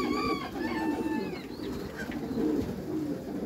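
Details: Backyard loft of Meulemans racing pigeons: low murmured coos run underneath while a higher, harmonic, drawn-out call from another bird sounds at the start.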